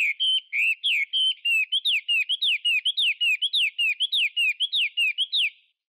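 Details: A Chinese hwamei sings a rapid, loud run of clear whistled phrases, slurred notes rising and falling around the same pitch, repeated almost without pause.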